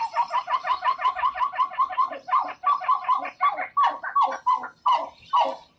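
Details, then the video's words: Two pied-billed grebes sing a song duet together in a Wisconsin marsh, rapid hollow hooting cuk-cuk notes around a kilohertz slowing into longer, wailing calls; yellow-headed blackbird audible in an earlier recording. "And so those are the songs of the pied-billed grebe."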